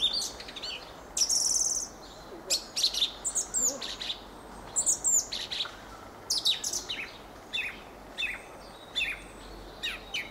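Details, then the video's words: Fieldfare singing a busy run of thin, squeaky chirps and harsh, high chattering notes in quick irregular clusters across ten seconds. "Fenyőrigó ( Turdus pilaris ) éneke."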